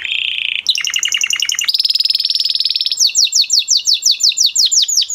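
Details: Male canary moving from a low buzzy roll to a bubbling double-note trill, a high fast rattle, and finally repeated clear downward-sweeping whistles.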